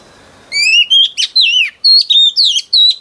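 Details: Singing female oriental magpie-robin, wild-caught, used to stir males: rising whistle followed by a string of sweet wavering and down-slurred notes with brief sharp accents.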